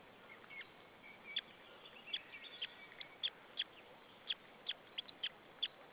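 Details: White-tailed eagle chick chirping on its nest at Saunja, Estonia, on 26 April 2013 at 14:37, before being fed: thin, high peeps repeated roughly every half second, some doubled, over steady hiss.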